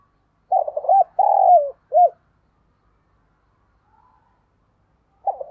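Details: Spotted dove used as a decoy bird for luring, giving a low cooing phrase: two short hooting notes, a long rolled coo and a falling final note, with another phrase starting at the end. No other sounds.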